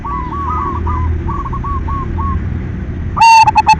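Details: Silver zebra dove lure song to prompt other doves to sing. Faint, distant rolling coos fill most of the clip, ending in a sudden loud, clipped burst of close cooing.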